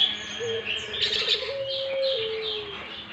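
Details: A Barbary dove calls busily with a short note, then a quick bubbling roll that settles into a long, even coo that sags slightly at its end. Thin chirps from other birds sound higher up.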